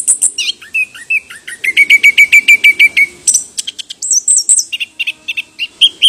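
An orange-headed thrush gives a varied, rapid song: a fast run of about a dozen bright, even notes, then high sweet whistles and mimic-like phrases.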